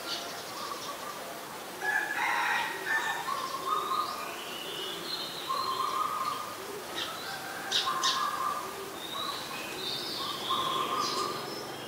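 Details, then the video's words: Streak-eared bulbul, a very common resident in Ubon Ratchathani, Thailand, recorded 22 July 2022: short mid-pitched chattering notes repeated in loose phrases every second or two, over steady hiss and faint higher chirps. "นกปรอดสวน : Streak-eared Bulbul (Pycnonotus blanfordi)"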